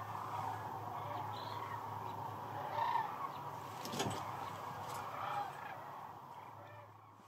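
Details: Night roost of sandhill cranes on the Platte River at peak northern migration: a constant chorus of rolling calls, a few louder nearby bugles standing out, with some sharp knocks and a click at the end.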